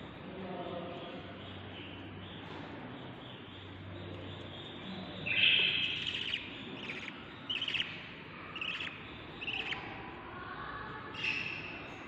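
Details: Nest of seven baby budgerigars, day 38 of breeding: a quiet stretch with low background hum, then scattered short scratchy chirps and a few louder rasping squawks from the chicks in the second half.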